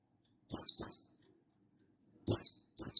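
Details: Piercing downward-sliding chirps from a Buxtoni mountain white-eye calling a rival in wild-style full voice: a quick pair, then a break of over a second before another pair, on silence.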